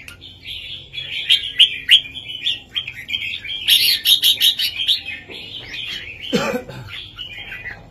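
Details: Red-whiskered bulbul giving a heavy, clear southern Thai master song meant to train young birds: a steady stream of liquid warbled notes, a quick series of sharp chirps in the middle, and a brief lower rasping sound near the end.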